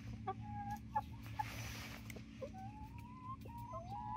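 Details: Nineteen-week-old Barred Rock and Gold Star chickens near Iola in Grimes County, Texas, giving short sharp notes, then a run of drawn-out, slowly rising whistles over a low background hum.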